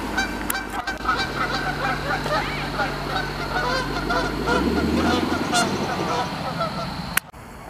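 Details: Several Canada geese fight on a road and honk at once in a dense, overlapping chorus of harsh nasal calls, about two per second. A sports car revs its engine at them, heard as a low engine hum.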